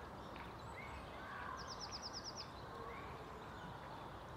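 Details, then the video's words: Great spotted woodpecker (Dendrocopos major) in Tivoli Landscape Park, Ljubljana, on 13 March 2023, giving a quick burst of about seven sharp, high ticking notes in under a second over a steady rumble and faint other birds. "Dendrocopos major VELIKI DETEL"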